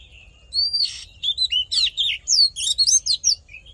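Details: Oriental magpie-robin fighting song, used to stir up males and train their voice: a soft warble, then a fast run of loud, varied whistled notes, slurs and sweeps, mostly high-pitched, with faint low background hum.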